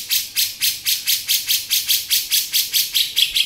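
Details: Steady series of harsh, buzzy rasps, roughly three a second, from a male grey-cheeked bulbul singing beset, with faint thin whistles near the end.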